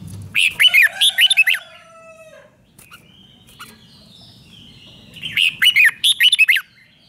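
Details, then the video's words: Red-whiskered bulbul singing, played to caged birds to make them lively: two loud phrases of five or six quick rising and dipping whistles, separated by a long quiet pause with faint thin notes. "เสียงนกกรงหัวจุก ร้อง ริก เปิดให้นกฟัง ยั่วให้นกคึกจัด chao mao"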